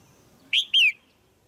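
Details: Caged female red-whiskered bulbul calling to stimulate a male or for pairing: two loud, clear whistled notes in quick succession, the second longer and sliding downward, over a quiet background.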